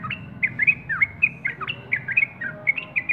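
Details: Sooty-headed bulbul singing: rapid series of short, bright, bubbly whistled notes, rising and falling, several per second, over a low steady background hum.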